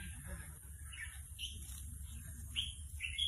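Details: A young caged Red-whiskered Bulbul practising its song sings along excitedly to a played recording: short, scattered whistled notes rising and falling, not yet a full phrase, over a steady low hum and a faint high hiss.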